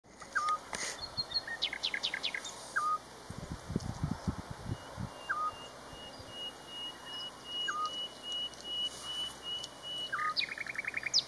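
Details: Eurasian scops owl giving short, soft whistled single notes repeated about every two and a half seconds, with busy chirping and twittering of other small birds throughout and a steady high-pitched background hum.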